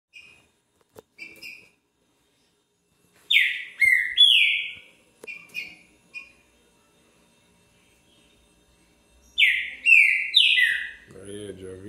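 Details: Green-winged saltator singing on 20 February at 1:10 in the afternoon: scattered soft notes, then two bursts of loud whistled descending slurred phrases several seconds apart, with a brief low rumble at the end.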